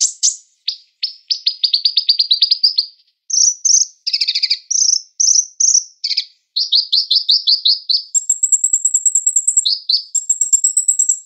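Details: Kolibri ninja sunbird song, used as a training recording for songbirds. High, rapid chirps come in quick repeated runs, then buzzy stuttering phrases, ending with sustained thin ringing notes and more chirp bursts.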